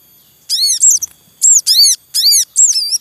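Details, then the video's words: Breeding Javan munias in the wild, the male calling beside chicks: loud, ringing arched chirps in rapid pairs, about four bursts in three seconds, with a faint rustle. "Suara Ribut Sogon Beranak Asli Alam Liar"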